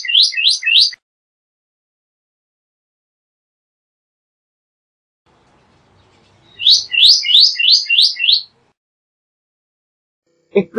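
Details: Quick series of short, rising whistled notes from a Pyrrhuloxia, delivered as a steady trill. One brief burst opens the recording and a longer run follows after several seconds of silence.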